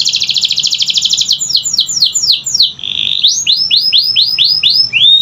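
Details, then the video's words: Canary singing, used to coax quiet canaries into song: a fast, even high trill gives way to a series of loud downward-swept whistles, a short buzzy rolled note, then rising-and-falling looped phrases. "Pancingan Kenari Malas Bunyi‼️Dengar Langsung Nyaut Gacor Dor"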